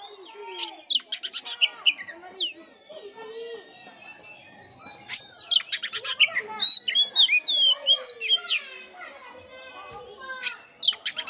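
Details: Oriental magpie-robin singing in a lure track aimed at waking a listless bird: long, varied outpouring of crisp whistles, sharp upslurs and clustered buzzy chips, in several loud bursts separated by quieter warbling.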